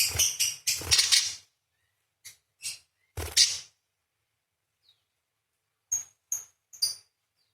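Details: Vigorous parakeet with long chattering 'beset' phrases, used as training audio for songbirds; a rapid cluster of buzzy, rasping notes opens, followed by a few separate scratchy chips and three thin, clipped tweets.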